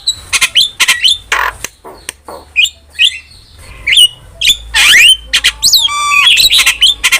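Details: Starling in full song, offered as tutor and lure song for caged starlings: a jumble of clicks, short whistles, harsh rasps and bending squeaky notes.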